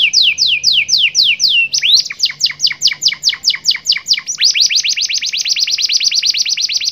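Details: Domestic canary song in the 'cengkok super mewah full isian glatik batu' style: a run of falling whistled sweeps, then evenly spaced sharp chips, ending in a long, rapid, rattling trill of high notes.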